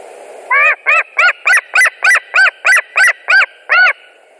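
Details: White-tailed eagle on a Latvian nest, 29 July 2019, 20:48, while visiting the nest: a clear series of eleven short, harmonic yelping notes, evenly repeated about three per second, the last one longer.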